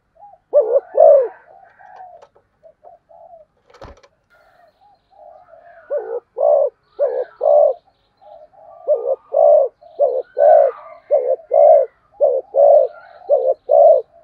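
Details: Fast, urgent cooing from a spotted dove: after a few scattered coos and a click, a steady string of low, rounded double coos follows at roughly one per second, with faint murmuring between them.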